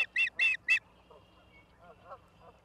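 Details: Osprey in Charlo, Montana, 09/11/2023, 16:04: three loud, sharp, ringing chirps in quick succession. Softer, lower notes follow over a faint background hum.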